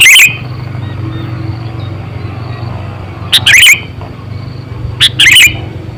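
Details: Sooty-headed bulbul kept as an eight-to-nine-year-old decoy for luring birds, uttering three sharp, liquid chirp bursts, the later two each led by a brief note, against a faint steady hum.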